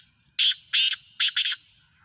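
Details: Black francolin (partridge) from Sindh, Pakistan, calling: four harsh, buzzy, broadband notes in a quick rhythm over about 1.2 seconds, the last two close together, against a quiet background.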